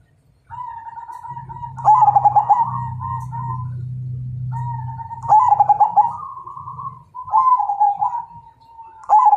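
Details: Majapahit zebra dove cooing as a fight challenge: repeated stuttering coo phrases and smoother sustained coos, partly over a steady low humming drone.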